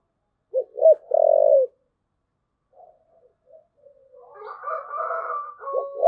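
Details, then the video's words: Spotted dove giving a thúc gù coo: two short clipped notes, then a long steady low coo. Softer murmured notes and a wavering, harmonic cooing follow, ending on the start of another phrase. "cu gáy thúc gù"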